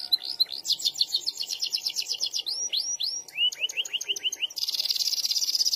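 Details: Lively canary singing long emotional rolls: rapid high trills, then a run of rising whistled notes, ending in a long dense buzzy roll held for over a second.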